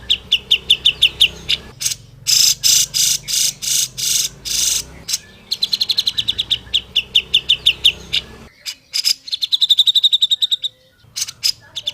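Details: Grey-cheeked bulbul tutor song for training other bulbuls to sing faster: rapid high trills alternating with dense harsh chattering bursts, several trills of quick ringing notes repeated over twelve seconds.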